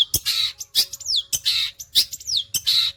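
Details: Long-tailed shrike in energetic, fast song: harsh, rasping bursts repeat about every half second, several followed by a clear whistle sliding downward. The sound is loud and close, with no other birds heard.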